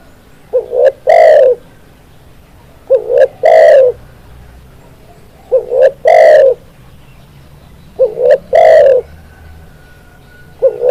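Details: Spotted dove song used for luring and training: repeated phrases opening with a brief low note, then a clipped coo and a longer resonant coo, spaced roughly two and a half seconds apart, very loud and clear.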